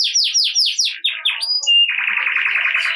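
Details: Canary in ngerek style, used as a prompt for quiet canaries: fast descending swept notes slowing slightly, a couple of brief high whistles, then a sustained buzzy rolling trill.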